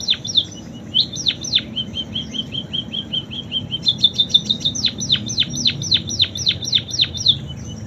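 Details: Munia song full of canary imitations: a few downslurred notes, a soft rapid ticking trill, then a brighter fast trill leading into a run of high downswept whistles.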